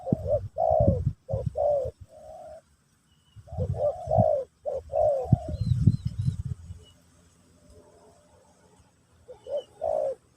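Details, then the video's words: A spotted dove gives pesom or kacuk style song in a teaching session for a new bird. Clusters of warm coos are followed by a long quiet pause, then a final pair of coos. "Burung Terkukur Pesom/Kacuk...Sesi Mengajar Burung Baru"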